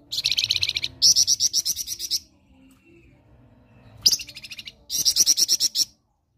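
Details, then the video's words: Master song of a flamboyan performing ngerok: two back-to-back rattling trills of rapid high scratchy pulses, silence, then a sharp note leading into another chattering burst. "MASTERAN FLAMBOYAN NGEROK"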